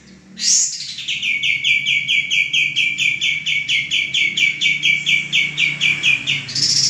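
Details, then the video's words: Male common iora, a kept bird used for training cage birds, sings a long fast series of bright, slightly descending chirped notes, about 20 in a row, opening and closing with a higher sweeping note. "suara burung kapas tembak jantan gacor sangat cocok buat masteran"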